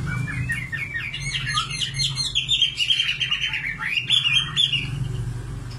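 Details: Singing common nightingale: rapid clicking notes followed by rolling, slurred whistles that swoop down and back up, with a low hum behind.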